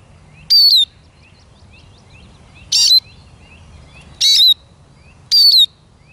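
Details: Eurasian siskin giving four short, high, twangy calls at uneven intervals of one to two seconds, each a bright whistle slurring downward, with faint thin twitters from birds behind.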